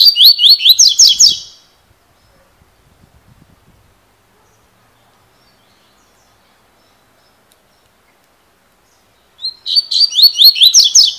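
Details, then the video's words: Double-collared seedeater song heard twice, separated by roughly eight seconds of near silence: rapid, repeated, slurred whistles with a bright metallic edge. "COLEIRO FIBRA (CILADA)"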